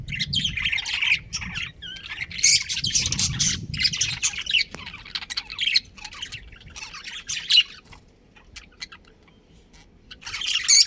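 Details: Budgerigars, a breeding pair in a colony, chirping: bursts of harsh, scratchy chatter high in pitch, broken by short pauses, with a brief quieter stretch near the end before the chatter returns.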